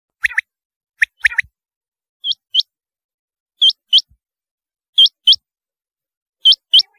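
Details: Rain quail calling: sharp, high metallic notes given in quick pairs. Each pair is spaced about a second apart, with the later pairs hook-shaped and clean against a silent background.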